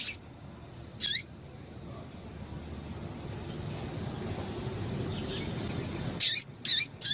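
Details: Female Double-collared seedeater calls, played to stimulate caged males to sing: short, sharp, high chirps, one alone and then a quick cluster of three near the end, over a low, steady background hum.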